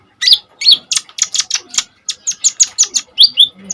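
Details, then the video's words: Energetic Common iora song meant as master material for kolibri ninja birds: a fast, steady string of piercing high chips and buzzy notes, about four per second, ending with short whistled slurs. "KONIN GACOR FULL TEMBAKAN SADIS"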